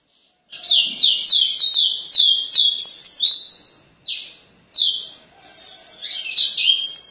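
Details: Ruddy-breasted seedeater, caboclinho-lindo from Pará, pours out a long series of high, slurred whistles. A rapid run of downward sweeps is followed by brief pauses and separate notes, then a quicker rising finish.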